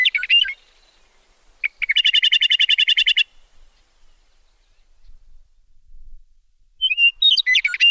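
A meadowlark gives bright, slurred high notes, then a fast, even chattering trill of about a dozen notes lasting just over a second, and closes with more tumbling phrases.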